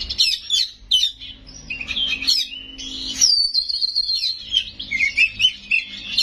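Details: Oriental magpie-robin, locally kacer, singing 'gacor' with 'isian' phrases: warbled notes, then a long steady whistle that falls into a chattering series of rapid chirps.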